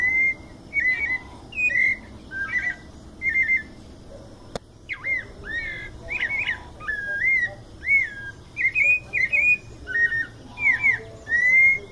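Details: Sabiá-coleira, the white-necked thrush, delivering mateiro-style song from São Paulo state: a steady series of brief, bright whistled notes and warbled phrases, about one per second, with a single sharp click near the middle.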